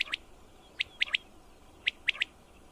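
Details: A male common quail gives its liquid three-note 'wet-my-lips' call, sharp and high, repeated about once a second against a quiet background; a recording used for quail hunting.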